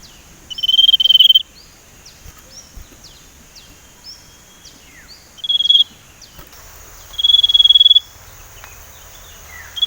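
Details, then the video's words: A young male Sumatran leafbird learning to whistle, still unpolished, used as a lure. Three sustained, slightly rough whistled tones, each about a second long, with quiet chirping in between. "burung sirtu ngeriwik belajar nyiul"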